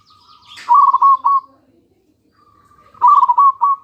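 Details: Local zebra dove song used as a lure to draw answers from other doves: two bursts of rapid, rolling cooing notes at a steady mid pitch, each about a second long, separated by a quiet gap with faint chirps above.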